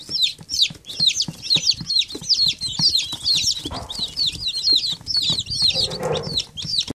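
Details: Young chickens keep up a busy chorus of shrill, falling peeps, many birds calling at once, with low shuffling and a brief muffled bump near the end.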